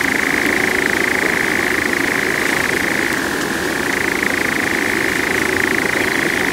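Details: A European nightjar churrs on the Oirschotse Heide heathland in the Netherlands: one unbroken, dry mechanical trill that dips briefly lower midway and then returns, over a faint low rumble.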